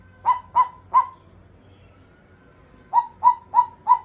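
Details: Pet African grey parrot trying to speak and making sounds: three short, clipped mid-pitched notes in quick succession, a pause of nearly two seconds, then four more identical notes evenly spaced, in a quiet room.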